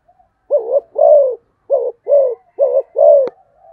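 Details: Three quick pairs of low, mellow coos from a spotted dove in the fast 'thúc gù tốc độ' style, each pair a short note then a fuller one, ending with a sharp click.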